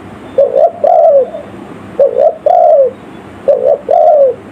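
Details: Village-style lure call of a spotted dove, played to attract forest birds: three soft, hollow phrases, each a short double coo running into a drawn-out descending note, spaced about a second and a half apart.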